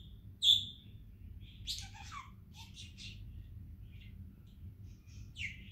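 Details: A pet female budgerigar, hand-raised from a few weeks old, chattering in quick, high, scratchy bursts and saying "peek-a-boo."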